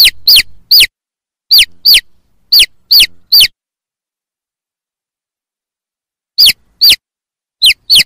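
Chicks give high, sharply falling peeps in quick runs of two to four, with a long pause midway. No other sounds are heard.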